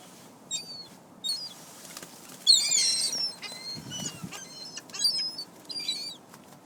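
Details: Flock of gulls scavenging pizza crust outside a parked car in Closter, New Jersey, giving overlapping high, thin mewing calls that rise and fall, several birds at once, with scattered bursts and muffled low rumbles.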